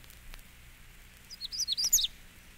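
A Magnolia Warbler gives one brief, sweet, high phrase of quick slurred notes lasting under a second, with faint background hiss.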